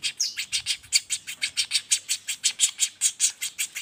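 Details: Young common flameback in a non-stop roll, a master for songbirds: loud, rasping chips repeated evenly about five times a second throughout.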